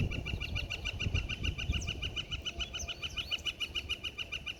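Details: Pileated Woodpecker drumming on a metal light post in an Ottawa office parking lot over several days. Evenly spaced, resonant metallic taps, about five per second, continue steadily throughout. Faint chirps from other birds sound behind them.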